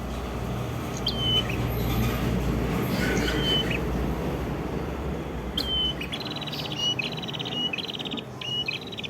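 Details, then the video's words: Prinia from Kedungprahu village, East Java, singing vigorously: spaced high whistles with clipped endings, then a fast run of rattling, stepped notes repeated in quick bursts toward the end, low rumble underneath. "Suara Prenjak Kepala Merah Gacor"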